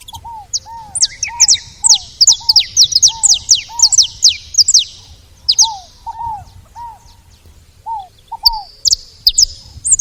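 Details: Saffron finch making noise at a feeding spot: dense, rapid, high-pitched chirping for several seconds, accompanied by repeated lower arched whistles about once a second, then sparser notes toward the end.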